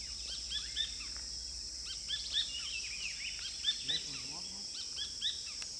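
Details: A Rufous-breasted Spinetail at La Ensenada, Santa Bárbara, Honduras sings quick, sharp, chattering notes at mid-high pitch over a steady, loud insect drone, with faint speech.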